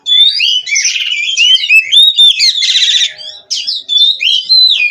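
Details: Oriental magpie-robin, a Cirebon-line bird raised in captivity, in continuous vigorous song: sweet rising and falling whistles mixed with dense grating buzzes, a brief silence after three seconds, then more slurred whistled phrases.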